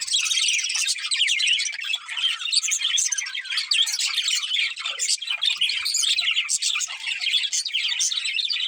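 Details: Pet budgies of a breeding pair keep up a nonstop, high, buzzy warble full of quick chirps and squeaky notes, loud and even from start to finish.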